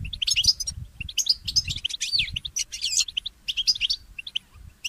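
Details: Goldfinch mule (goldfinch hybrid) singing in the early morning: rapid, bright twittering with high, looping whistled notes and quick chirps in bursts. A faint low rumble sits underneath.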